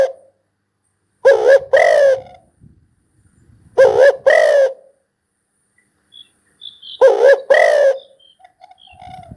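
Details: Spotted dove giving paired husky coos, a rising short note then a longer one, every three seconds, with faint high chirps and soft whistles from other birds in between.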